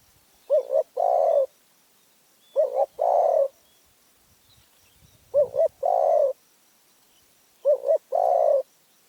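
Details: A spotted dove from Phrae, Thailand, coos a soft, hollow phrase of two quick notes and a longer drawn-out coo, repeated about every two and a half seconds in quiet surroundings.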